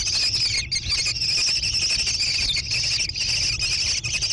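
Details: Growing American kestrel nestlings in a gravel-bottomed barn nest box, Prairie du Chien, Wisconsin, June 2022. A shrill, nearly unbroken buzzy screaming is heard, with a few short gaps.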